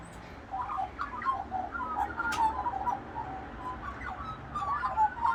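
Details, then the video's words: Australian magpies of a local flock carolling in the morning as a group vocalisation, waking people trying to sleep; mellow warbled and fluted notes tumble over one another continuously, overlapping voices in a loose, irregular chorus. ""Carolling" Magpies Nature's alarm clocks - woken by magpies in the morning"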